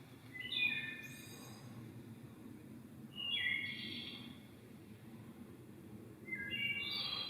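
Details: Wood thrush (Hylocichla mustelina), identified tentatively, singing three clear flute-like phrases ending in airy trills, in the mountain forest of Rocky Fork State Park, Tennessee, on a June morning, over a low rumble of the distant stream.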